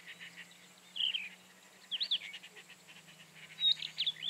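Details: Loud, sweet phrases from a Rufous-tailed scrub robin: rising and falling slurred whistles repeated roughly every second, backed by a faint buzzy pulsing and a low hum.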